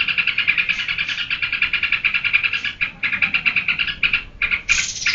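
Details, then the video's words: Geberan-style song of a sooty-headed bulbul: a rattling run of quick buzzy notes, a short pause near the end, then a clear high rising whistle. "Suara burung trukcuk geberan durasi full"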